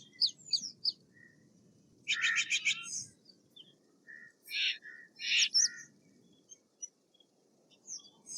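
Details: Steller's jay with bursts of dry rattling pulses and grating notes, mixed with short high chips and brief whistled notes from other birds.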